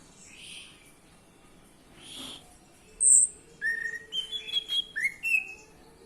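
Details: Orange-headed thrush song played to prompt males to sing: faint blurred notes, then a bright high note followed by a quick series of short upslurred whistles.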